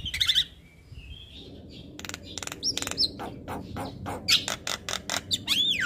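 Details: Javan myna in ceaseless lively song for bird training: a burst of buzzy notes, a quiet gap, then staccato clicks, squeaks and rising whistles.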